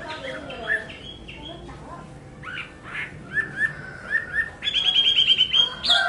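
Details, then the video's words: Chinese hwamei singing through a low background hiss: scattered soft whistles, then a series of brief upslurred notes, ending in a rapid, bright trill of repeated whistled notes. "tiếng hót hay nhất của chim họa mi phần 2 | The beautiful song of the nightingale part 2"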